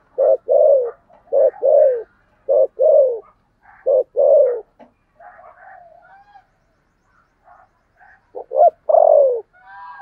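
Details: Decoy spotted dove, 'thổ' voice style, cooing repeatedly: a run of two-note phrases, short hoot plus drawn-out falling coo, then softer murmured notes and a final loud coo sequence.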